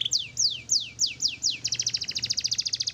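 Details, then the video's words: Pet canary, black-red type, gives a string of high whistles sliding downward, then switches to a quick, evenly spaced chattering trill. "bird Paling Gacor canary black red"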